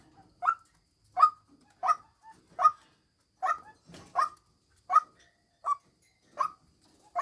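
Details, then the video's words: A female white-breasted waterhen utters loud, nasal, goose-like notes roughly every 0.7 seconds, about ten in all, with a little low background noise. "tiếng chim quốc mồi mái"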